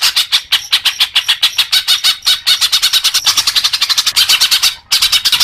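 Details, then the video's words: Leafbird singing as a training track for young birds: a long, dense, rhythmic rattle of harsh buzzy notes that briefly stops near the end, then resumes. "suara kicau murai daun untuk terapi burung bakalan"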